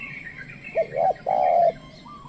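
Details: Spotted dove kept as a decoy to call wild birds, giving a short note, a rising hoarse coo and a long steady coo, over faint chirping of other birds.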